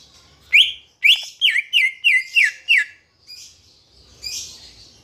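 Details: Green leafbird (cucak ijo) song played as a lure to get kept birds singing: seven bright whistled notes that slur downward, repeated rapidly and evenly, followed by softer scratchy twitters and faint low background hum.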